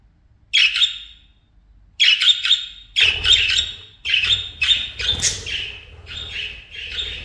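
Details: Parakeets at play, chattering and singing: bursts of squawky, chirping notes in quick clusters, pausing after the first burst, then running almost continuously with scratchy, warbling phrases.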